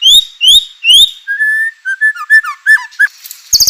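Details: White-rumped shama song, used to make other shamas sing. Three loud rising whistles open it, followed by a long flat whistle, a jumble of varied warbled notes and a final high chattering burst.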